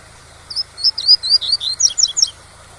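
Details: Teaching song in the tui-tui style from a Double-collared seedeater: a fast, jumbled string of piercing high chirps and slurs lasting about two seconds, with waterfall sound murmuring underneath.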